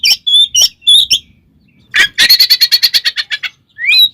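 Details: Oriental magpie-robin in 'ngeplong ngekek tarung' fighting song, used as a lure to provoke other magpie-robins: a few sharp high whistled notes, then a fast harsh rattle of about twelve buzzy pulses, ending on a rising whistle.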